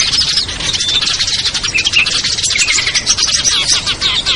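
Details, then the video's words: Lure recording of small birds such as ciblek, kutilang, trucuk, sogon and perenjak, meant to draw wary birds down: a dense, continuous chorus of high twittering chirps with thin whistled notes, loud and unbroken throughout. "SUARA PIKAT BURUNG KECIL burcil AMPUH"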